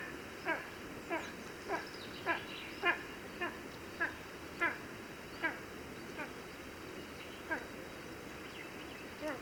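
Spanish imperial eagle giving a series of about fourteen harsh, barking notes, roughly one every half second to second, over a steady background hiss.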